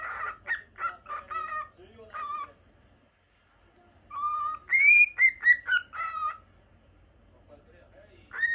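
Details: Caged pet lutino cockatiel chattering in two runs of whistled notes broken by a pause of about one and a half seconds, the second run climbing to a higher, clear whistle before falling back, in a quiet room.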